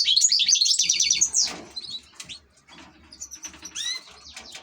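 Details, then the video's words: European goldfinch kept as a pet ornamental bird, opening with a rapid run of evenly repeated tinkling notes, then softer scattered chirps and a few clear upward-sliding whistles; faint low hum behind. "#الحسون# احلى تغريد في طيور الزينة"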